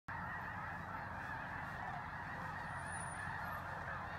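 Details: Thousands of snow geese arrive before dawn at Bosque del Apache, San Antonio, New Mexico, joining resting flocks on a freezing morning, recorded on a phone. Their calls merge into a dense, continuous honking roar with no single voice standing out.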